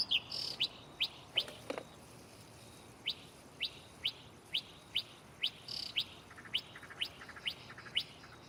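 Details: Mockingbird singing from a nearby tree at night: sharp, clicky chirps repeated about every half second, with a few brief fuller notes mixed in.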